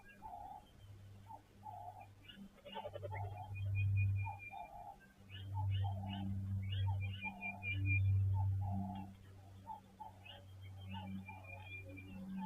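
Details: Red-billed buffalo weavers calling in the morning from a nest in a tree overlooking a waterhole in Timbavati, Greater Kruger, give short, harsh chattering notes several times a second, as a man talks over a low rumble.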